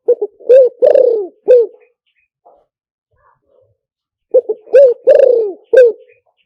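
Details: Spotted dove luring call for speaker playback: two full cooing phrases separated by nearly three seconds of near silence with a few faint notes, each phrase with short notes, a long burry falling coo and a last coo.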